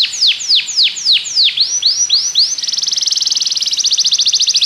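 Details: Belgian canary song meant to coax other canaries into singing: several slow falling whistles, then rising arched notes, then a long rapid buzzy trill of even short notes at a steady pitch.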